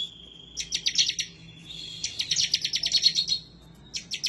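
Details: A thin steady whistle opens, then the 'semi' bar-winged prinia bursts into rapid, high, clipped notes. The bird is excited and looking for an opponent, recorded as tutor sound to get birds singing.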